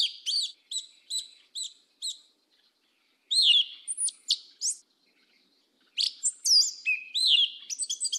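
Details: Southern 'mateiro' song of the sabiá-preta (Turdus flavipes): a series of short high whistled notes, then varied slurred phrases and sharp chips after a pause, closing with fast stuttering notes.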